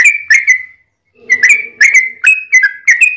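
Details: Short stretch of yellow-vented bulbul fighting song used as a lure: a few clear slurred whistles, a brief pause, then six spaced, bright two-part whistled notes.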